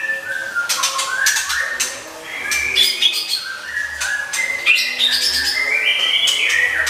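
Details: Caged Oriental magpie-robin singing varied masteran contest song, rapid clicking chips and stacked short whistles alternating with longer level and rising notes, almost without pause, over a low electrical hum.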